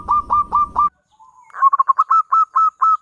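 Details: Zebra dove lure song meant to make other doves answer: four rounded coo notes over a low rumble, a short gap and soft hum, then a quick stutter easing into about six evenly spaced coos.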